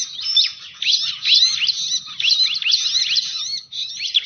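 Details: Bar-winged prinia call used as a bird lure: dense, high, rapid chirps and sweeping whistled notes in quick bursts, nearly continuous, with a faint low hum underneath.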